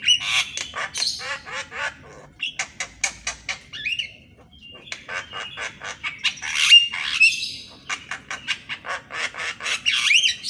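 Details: Javan myna in full morning song, recorded to train mynas that seldom sing: long runs of rapid rattling clicks and harsh squawks, broken by short sharp whistles and a brief pause.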